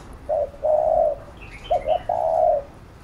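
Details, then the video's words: Spotted dove calling as a training lure: a short note and a long mellow coo, then two quick hooked notes and a drawn-out coo; soft twittering of small birds mid-phrase. "Cu Gáy THÚC GÙ Siết Bổi Đẳng Cấp/ Kích Mồi Tập Bổi Căng Đét"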